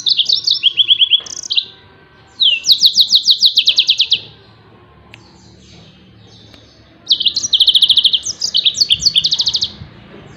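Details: Yellow-fronted canary in 'tembakan' song used for training other songbirds: long rapid bursts of repeated high chirps, slurred whistles and dense trills, with a silent gap of about three seconds between phrases.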